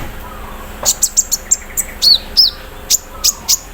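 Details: ["Kept konin, or olive-backed sunbird, aired in the morning dew, giving sharp high chips and a couple of downslurred squeaky notes in rapid, irregular succession, part of its 'mesin bordir' filler repertoire."]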